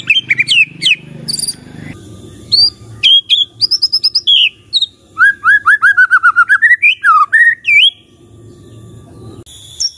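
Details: White-rumped shama delivering high chips and rising whistles over low background rumble, then a long run of evenly repeated down-slurred notes ending in rising phrases.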